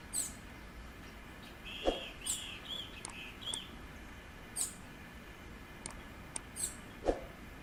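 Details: Bananaquit in Pernambuco, Brazil, calling and singing in the wild: a brief string of thin buzzy high notes amid scattered sharp high chips and a few lower clicks, over constant hiss.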